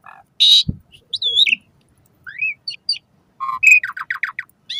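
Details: Asian pied starling singing, a recording used to coax pet starlings into song at dawn and dusk: a harsh rasping burst, looping whistles, a short rising slur, then a rapid row of descending chirps.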